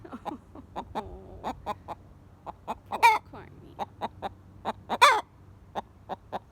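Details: Golden Buff Orpington pet hen still alarming after a scare, refusing to settle: repeated short, sharp clucks at an uneven pace, punctuated by two loud harsh screechy notes, with a woman speaking soothingly nearby.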